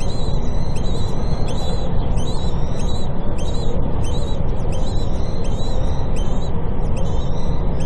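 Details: Common kestrel at a nest with newly hatched chicks, on a building in Cairo, as the female brings food: high, thin, scratchy calls about twice a second over heavy low wind rumble.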